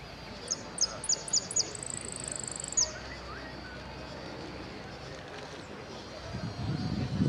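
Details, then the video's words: Saffron finch singing in the 'amarillo sin cierre' class at an interclub cup contest in Ciudadela, 8 March 2014: five quick high descending slurred notes, then a fast buzzy trill and a final slurred note, followed by background murmur and low noise. "Participo en amarillo sin cierre copa interclubes Ciudadela 08 03 20 14"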